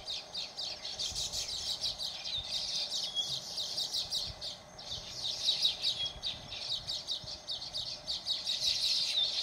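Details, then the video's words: Baya weaver chorus in Phaltan, Satara, Maharashtra, India: dense, continuous high chattering and sizzling chirps from several birds, rising and falling in loudness over ten seconds, with a steady low background hum. "Baya Weaver"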